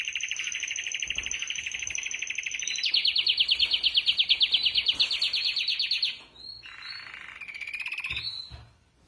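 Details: Five canaries in a training song, here a long smooth rolling trill that holds then steps lower and louder, ending with a few short whistled notes and a brief soft buzzy phrase.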